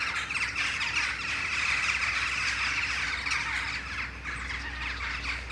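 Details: Western jackdaws returning as a flock from roost trees in the morning; an unbroken jumble of short, raspy calls from many birds, steady and fairly loud throughout.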